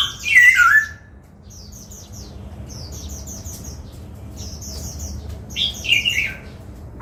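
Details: Caged laughingthrush being trained in the 'bắt cô trói cột' voice, dancing as it sings: a loud looping whistle, a long pause with soft high ticks, then another rich warbled phrase.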